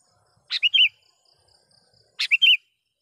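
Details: Sooty-headed bulbul, a lively caged bird used as a lure to call wild rivals: two bright calls about 1.7 seconds apart, each a sharp chip followed by two or three quick whistled notes, with a faint steady high tone between.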